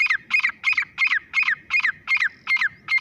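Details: Grey francolin (teetar) calling: a fast, steady series of loud, harsh, ringing notes, about nine in three seconds, each with a sliding downward tail. The background is quiet.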